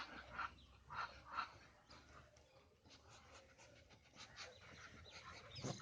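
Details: Muscovy duck hissing: a few short, breathy, airy bursts in quick succession early on, then softer rasping breaths, with low background rumble.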